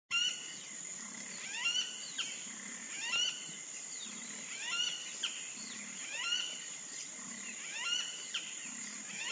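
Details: Wattled jacana, a wetland bird of a species in which the sexes look alike: harmonic calls with repeated downward-sweeping notes in loose bursts about every second and a half, over a steady high insect drone and soft low pulses.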